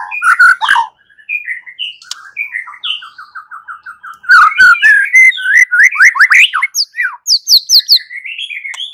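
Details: Fighting song of a white-rumped shama, rich and varied: rising whistles, a run of quick repeated notes, then loud chattering bursts and fast descending slurs. Quieter warbling fills the gaps.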